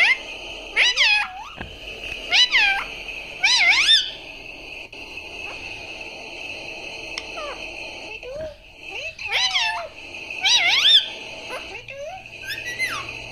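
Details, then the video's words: Pet parrot talking indoors: short, high, squeaky mimicked phrases, sharply rising and falling, repeated in bursts about every one to two seconds with quiet gaps between, in a small room. "mitthu talkinng mummy papa"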